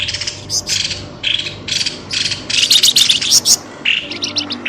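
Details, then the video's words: Pelamboyan bird lure calls meant to bring birds quickly out of the undergrowth: dense, buzzy, high chirp bursts repeated in an uneven series, nearly continuous, with brief gaps and faint low background noise. "SUARA PIKAT BURUNG pelamboyan ribut"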